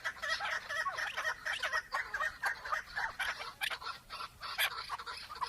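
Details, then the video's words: Chukar partridge calling with dense, overlapping clucking notes around a steady pitch, several rapid chuk sounds running together over a faint hiss. "Keklik en güzel keklik sesi"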